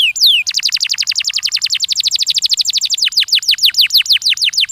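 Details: Canary, locally kenari, singing to stimulate young canaries to sing: a long fast roll of repeated high downward-sweeping notes, about three a second then slowing into broader swoops, clean and loud.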